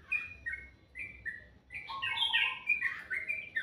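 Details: Bird singing in the morning, a few sharp, separate whistled chirps, then a rich, fast, tumbling warble of overlapping notes over a faint hiss.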